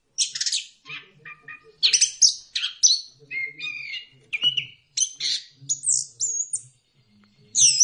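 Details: Orange-headed thrush, known locally as punglor kembang, singing a lure song meant to stimulate other birds to sing: a rapid medley of varied high chirps, trills and short whistled slurs, broken by brief pauses.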